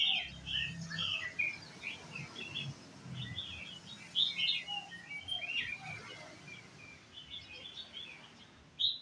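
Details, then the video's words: Red-whiskered bulbul with white cheeks out at a coffee shop, giving a busy run of lively chirped and whistled notes, quick varied phrases almost continuous across the stretch, with low traffic-like hum underneath. "chào mào má trắng đi cà phê"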